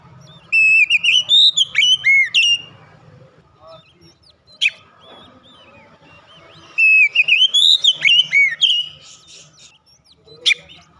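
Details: Oriental magpie-robin in loud open-throated gacor ngeplong song, beak wide: two bursts of rapid looping whistles and slurred notes, each about two seconds long, separated by quieter scratchy sounds and one sharp click-like note.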